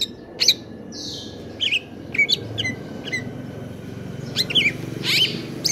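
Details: Greater green leafbird in stable condition giving scattered 'konslet kejer nembak' song notes: short sharp whistles, brief buzzy rasps and chips at irregular intervals over low background rumble.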